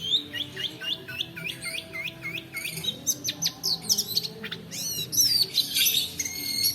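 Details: Long-tailed shrike performing a long rolling song meant as a lure for quiet birds and a model for training: a fast run of looping high chirps, then dense buzzy chatter and bright squeaky notes.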